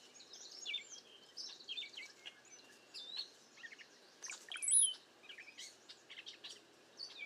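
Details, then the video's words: A bunch of cowbirds in strong wind and bad weather, gathering at a safe place. Dense overlapping chatter of squeaky, slurred notes comes from many birds, with a thin high whistle standing out near the middle. "Cowbirds #bad weather #strong wind #safe place #bunch of birds #type #sound"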